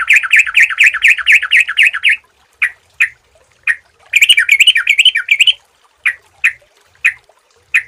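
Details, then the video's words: Sooty-headed bulbul used as a lure sound: a fast run of bright chirping notes near the same pitch, then single sharp chips spaced about half a second apart, a second rapid chattering burst, and more scattered notes. "suara burung trucukan jernih"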